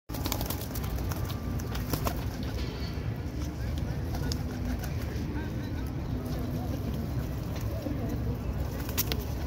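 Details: Racing pigeons in South Africa give low, soft cooing rumbles under a steady wash of background noise, broken by scattered clicks and scuffling sounds.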